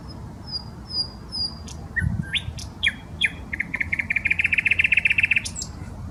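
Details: Common nightingale singing in the park on the Smolenka, Saint Petersburg: thin high whistles and scattered sharp notes build into a fast, even run of rapid repeated chirps, with low background rumble.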